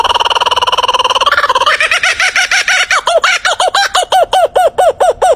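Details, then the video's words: Kookaburra: a rapid, rolling chuckle builds into loud, evenly spaced laughing hoots, about four a second, each note rising and falling sharply; said to be a warning call in the wild rather than laughter. "This might sound like laughing, but in the wild it's actually a warning call."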